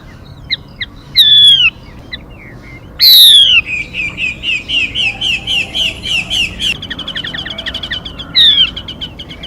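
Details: Female Mi bird decoy sound for trapping: scattered soft chirps, then one loud, harsh, falling call leading into a long series of short clipped notes repeated about twice a second, and one last harsh call.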